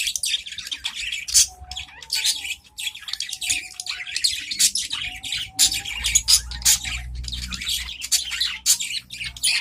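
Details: Several adult budgerigars in a cage calling in reply to each other: long, unbroken twittering warble of quick chirps, ticks and raspy notes, with a faint tonal hum in the background.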